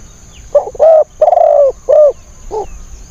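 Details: Spotted dove kept as a decoy to lure wild birds, delivering a single phrase of five husky coos, the middle notes drawn out and the last one short and softer.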